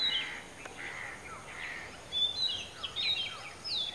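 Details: Oriental magpie-robin perched on a dead coconut tree in Kankavli, Maharashtra, singing; varied whistled and chattering notes, louder clear whistles in the second half, steady background noise.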